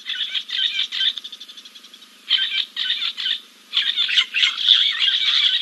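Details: Giant kingfisher at King's Camp, preening after a dip, 2 April 2024. A rapid chattering rattle of harsh notes fades away, then returns in quick loud rasping runs to the end.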